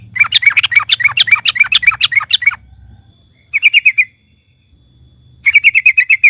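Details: Loud lure song of a Yellow-vented bulbul meant to make other birds sing: a long fast chatter, then two shorter trills of quickly repeated ringing notes.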